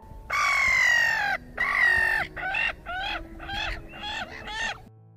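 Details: A Black-headed Gull, a UK bird, gives harsh, grating calls: two long drawn-out screeches, then about five shorter, faster ones, each sliding slightly down in pitch.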